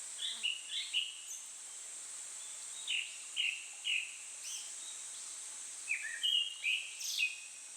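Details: Japanese thrush song from satoyama in heat above body temperature: short clear whistled phrases, then three evenly spaced repeated notes about half a second apart, and a final fuller burst, all over a constant high buzzing of insects.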